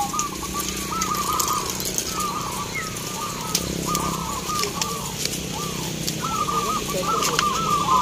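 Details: Zebra doves (perkutut) singing in a crowded local perkutut song contest in Baratan, Boyolali, Central Java, Indonesia, on a very bright, hot day: soft, rolling cooing phrases repeated and overlapping over a steady hum of crowd and road noise.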